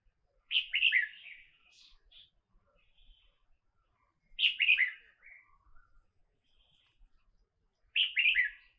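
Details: A Red-whiskered bulbul in Cambodia gives bright, bubbly whistled phrases, three quick notes in a burst, repeated about every three and a half seconds against a quiet background.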